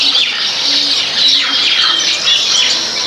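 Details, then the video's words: Backyard group of baya weavers eating grains, producing a constant wall of high-pitched chirps and short squeaky calls, with a few faint low hums underneath. "Baya weavers sound"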